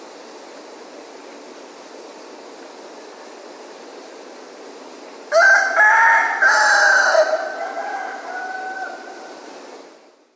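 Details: Rooster at dawn in Ipanema crowing once, loudly, after several seconds of quiet hiss: a harsh burst that breaks into a sustained tone and slowly fades over about four seconds.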